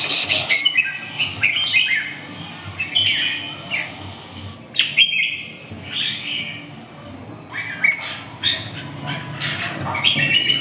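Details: Caged red-whiskered bulbul at a competition-style meet. Lively, high, warbled and whistled phrases repeat every one to two seconds, with sharp chips between them. People chat quietly in the background.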